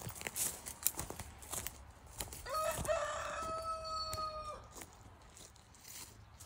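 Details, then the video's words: Pet rooster kept with hens, crowing once mid-clip: a stuttered start then a long held tone about two seconds, among scuffling, clucking and handling noises. "#rooster #crow"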